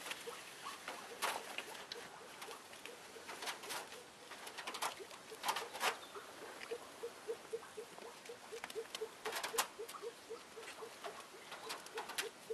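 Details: A female Elliot's pheasant just arrived, keeping up a rapid run of short low clucks, roughly four each second, among frequent scraping and rattling noises.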